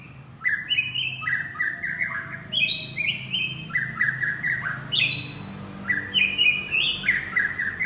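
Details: White-rumped shama calling its partner, pouring out loud varied whistled phrases in quick succession, notes rising and falling between mid and high pitch, with short sharp clicks mixed in and a faint low hum beneath.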